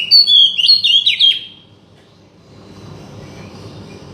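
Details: Oriental magpie-robin song for provoking a silent bird to sing: a brief, loud flourish of fast, sharp whistled notes lasting just over a second, followed by quiet background hiss.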